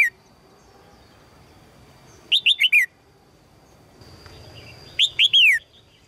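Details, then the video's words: Female red-whiskered bulbul calling to a strong male: two phrases about three seconds apart, each of three to four bright chirps ending in a longer falling whistle, with a faint steady tone and soft background noise. "นกหัวจุก birds - นกตัวเมียร้องเจี๊ยก ๆ เพื่อเรียกนกตัวผู้ที่แข็งแรง"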